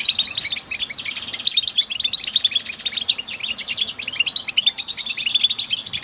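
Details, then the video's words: A goldfinch sings a continuous, rapid twittering song of high, tinkling notes and trills, with no pauses and no other sounds. "Motivating sounds of the hero goldfinch bird"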